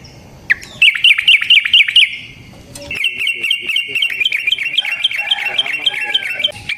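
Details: Yellow-vented bulbul singing a long rolling fighting song meant to lure rival bulbuls into answering; a fast burst of bubbly chirps, a brief pause, then a long stream of chattering notes with faint clicking beneath.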